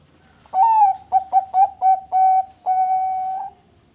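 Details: A captive-bred Bangkok-type zebra dove (Geopelia striata) on a bird farm in Bekasi, West Java, sings a soft, mellow cooing phrase: an opening coo, a quick run of short staccato notes, then two long level coos.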